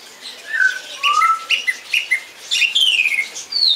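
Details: Song thrush singing a clipped note repeated five times in steady rhythm, then a swooping warbled phrase and a high thin whistle.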